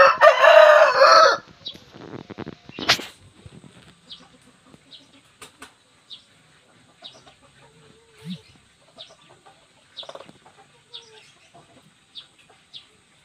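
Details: A tall, large Bangkok game rooster of the wido type gives a loud, hoarse crow, followed by soft scattered clucks and clicks.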